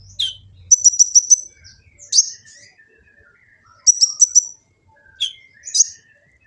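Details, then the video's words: Kolibri ninja sunbird from Gresik, East Java, recorded on an Android phone, delivering high, fast stuttering trills of four or five notes between thin downslurred chips and quiet soft twitters. "Kicau burung kolibri ninja full isian"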